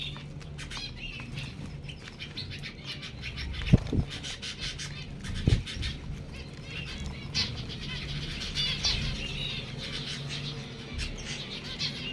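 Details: Zebra finch (Taeniopygia guttata), song.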